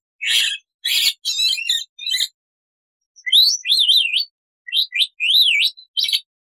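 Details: Black-winged starling in a full-variation training recording: harsh noisy bursts followed by rising and falling whistled zigzag notes, loud and clear, with short gaps between phrases.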